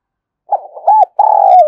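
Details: Spotted dove from Đồng Nai, Vietnam, with a call used to attract wild birds. Soft, broken opening notes lead into an arched coo, then a long, rough, sustained coo that falls slightly at the end.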